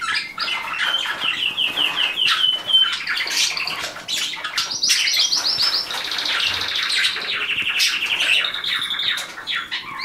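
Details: Pet canaries (described as the best singers) in a home bird room: fast, bright rolling trills, each a run of quick repeated notes, shifting from one high tour to the next, with other cage birds chirping behind.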